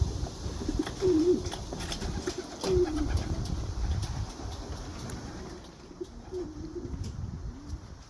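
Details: Curious young white racing pigeon, Greek God bloodline, near the breeding loft: a few low throaty coos spaced a second or more apart, softer later on, with background rumble and clicks.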